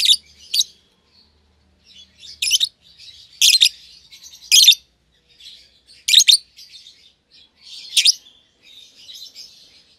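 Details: A young caged lovebird pair, a euwing green opaline and a red-eyed albino, kept together after feeding each other: sharp high chirps every second or so, with soft twittering between.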